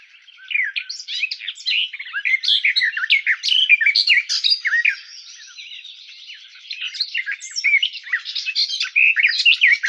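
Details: Garden warbler song in two bursts: a rapid, babbling stream of varied warbled notes, a brief quieter stretch of thin sustained tone, then the lively warbling resumes.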